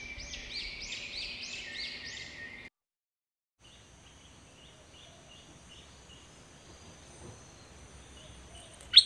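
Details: Dok Taeng bird singing in a 2020 recording meant to train young birds; a fast run of repeated high chirps lasts a few seconds, then cuts to near silence with faint distant notes.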